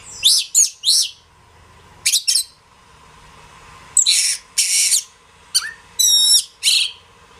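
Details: Song of the Oriental magpie-robin (kacer) as masteran material for training songbirds: loud, high, harsh bursts and chattering notes in separate spurts, with one rapid trill of stacked whistled notes near the end and quiet between phrases.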